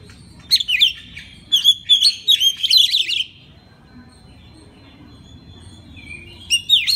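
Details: Oriental magpie-robin song used as a master recording to get other magpie-robins singing: a brisk three-second run of piercing whistles and chirps, a pause with a faint whistled note, then another loud burst.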